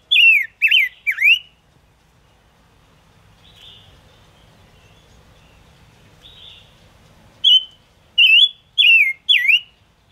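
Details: Lure song of chim ngũ sắc (Gouldian finch) for bird trapping. A rapid trio of loud falling whistles, a long quiet stretch with faint soft notes, then four more bright swooping whistles in quick succession.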